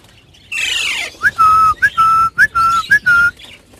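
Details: Cockatiel during breeding: a harsh rasping squawk opens, followed by about five clear, steady whistled notes, each starting with a short upward slur, repeated in quick succession.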